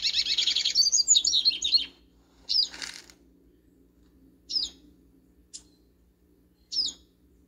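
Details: Double-collared seedeater singing in a backyard: a fast, bright warbled phrase of rapid twittering notes lasting nearly two seconds, then short sharp downslurred chirps every second or two over a faint low hum.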